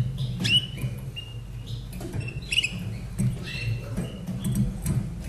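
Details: Singing caged Slavujar canary, a 2011 bird kept in Austria, gives quick whistled notes, short trills and sweeps in a brief phrase, with steady low hum throughout.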